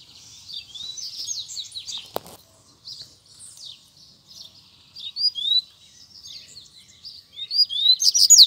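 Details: Fighting challenge between a caged Double-collared seedeater and two free birds close by: short bursts of high chirps and upslurred whistles separated by pauses, a sharp knock near two seconds, a loud final burst.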